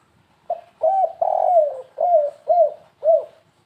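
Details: Stuttering 'kuk3 gagap' call of a spotted dove, used to lure birds. A short coo leads into a hooked note and a long descending coo, followed by three clipped, arching coos.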